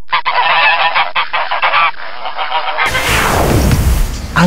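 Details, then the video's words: A domestic goose gives loud, harsh, nasal honks in a rapid run for about three seconds, followed by a burst of low rumbling, wind-like noise. "Nama hewan ternak angsa bertelur bisa jalan dan suara"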